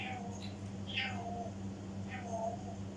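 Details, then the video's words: African grey parrot mimicking indoors, producing meow-like drawn-out nasal calls with sliding tones, several in a row, over a continuous low hum. "African gray parrot mimics"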